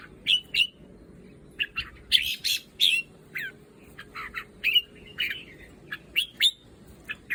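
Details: Red-whiskered bulbul from a breeder's stock, singing choppy, bright chirping phrases of quick rising and falling notes in bursts over about seven seconds, with a faint low hum behind.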